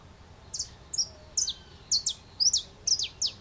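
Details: In Brazil, a saffron finch perched in a pepper tree (aroeira) sings clipped, very high chips and short slurred notes in loose pairs, accelerating slightly toward the end, against quiet background hiss.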